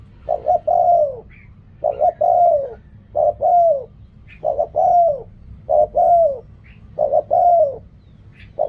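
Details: Spotted dove, in reak kham and ok rong styles, repeats its coo steadily about every 1.3 seconds across seven phrases. Each phrase is a stuttered double note and a longer downslurred coo, with faint chirps between phrases.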